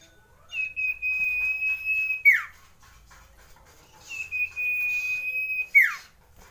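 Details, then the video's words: Common iora song for stirring breeding urge: two long level whistles, each held for nearly two seconds, each ending in a sharp downward-sliding flourish, separated by a quiet pause. "CIPOH SIRTU CIPOW NGEROLL PANJANG COCOK MENAIKAN BIRAHI"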